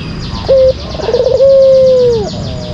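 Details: A single phrase of the white collared dove's lure song. A brief steady coo opens it, a fluttering trill follows, and a long drawn-out coo slides slightly down to close. Faint hum underneath.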